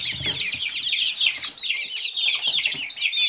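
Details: High-pitched peeping from a group of Silkie chicks, continuous overlapping downslurred cheeps forming an even chorus, with faint low rumbling at the start.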